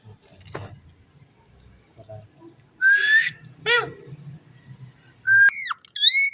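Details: Rose-ringed parakeet talking: a sharp tap, then a rising raspy phrase, a short throaty syllable, and two final bright upswept whistled words, over low room noise.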